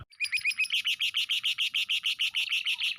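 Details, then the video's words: Lovebird giving a ngekek trill used as filler training material for other birds: a long, unbroken chattering trill of fast, even, harsh pulses, about three per second, rising slightly at the start and holding steady; no other sounds. "lb ngekek isian tembakan kores"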